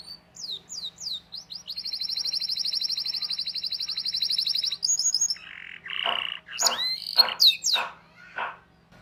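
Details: Canary song used as a training recording for young canaries, with long chirping rolls: a fast rapid trill held about three seconds, then bursts of varied whistles and harsh buzzy notes.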